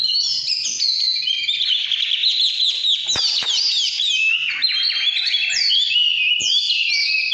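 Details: Loud, unbroken căn lửa song from an Oriental magpie-robin: high, rippling whistles and rapid down-slurred notes running together, with a few sharp snaps.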